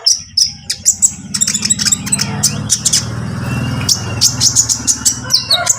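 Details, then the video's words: Konin lovebird in trotol style, calling to goad a rival bird into song: shrill, rapid high chirps in clusters over a constant low engine-like drone. "konin trotol memanggil konin bahan agar ikut bunyi | memancing emosi lawan"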